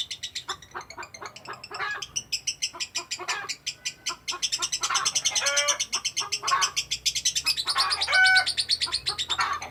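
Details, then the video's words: Lovebird in an extended ngekek chatter: rapid repeated harsh, scratchy notes, about two per second in clusters, with squeaky and buzzy accents, continuing almost without pause; faint low hum behind. "Love Bird ngekek durasi panjang"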